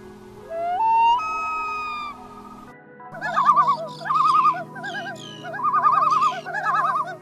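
A loon gives a rising, drawn-out wailing note, then a run of quavering, laughter-like tremolo phrases, with a soft musical hum underneath.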